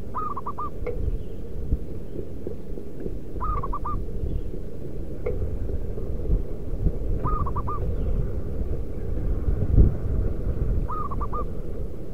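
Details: Wild local zebra dove, call used as a lure for wild doves: four separate phrases of rapid, soft cooing notes, spaced about three to four seconds apart, with steady low rumble and a distant thump.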